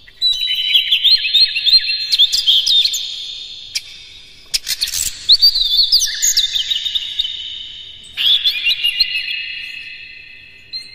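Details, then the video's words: Lively Oriental magpie-robin song used as a lure: fast sequences of clear whistled notes and chips, rising and falling, in dense bursts with a brief pause midway. "KACER NGEPLAY GACOR NEMBAK-NEMBAK ISIAN, PANCINGAN AMPUH NAIKAN EMOSI KACER"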